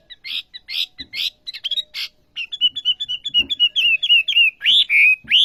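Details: Olive-backed sunbird in vigorous song: a handful of scratchy chip notes, then a rapid, even chain of high wavering whistles and a final pair of looping phrases.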